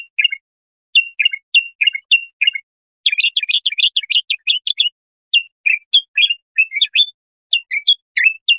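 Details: Bulbul song, used for tutoring young goldfinches or hybrids: short, clear, whistled notes in quick phrases. A dense burst of rapid chirps follows in the middle, then more spaced fluty notes. No other sounds.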